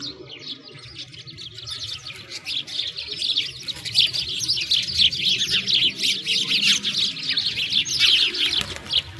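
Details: Sparrows in winter beside a frozen lake in Bratislavsky Park, Moscow, Russia: a dense flock chatter of high, overlapping chirps and tweets running continuously and growing busier toward the end, with a faint low rumble beneath.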